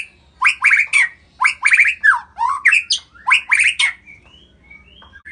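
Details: White-rumped shama from Medan, Indonesia: harsh, squawky chattering bursts with a broad buzzy edge, delivered in short clusters about every half second, then a few soft thin rising notes at the end.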